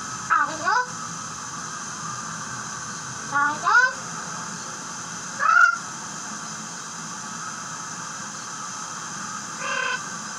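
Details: A female eclectus parrot, recorded in 2003, gives four short, bending, speech-like squawks spaced a few seconds apart over a steady background hiss.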